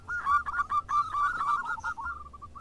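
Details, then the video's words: Overlapping calls from local zebra doves answering each other: a dense, jumbled cascade of rolling cooing notes from more than one bird that thins into a few spaced, softer notes at the end. "PERKUTUT JADI RAMAI SALING SAHUT !! (Perkutut lokal gacor)"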